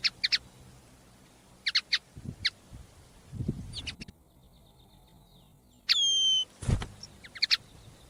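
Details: A captive common linnet (Linaria cannabina), kept by a songbird breeder in a village, sings brief, bright twittering chirps in quick clusters about every second, with one sliding whistle over a low background rumble.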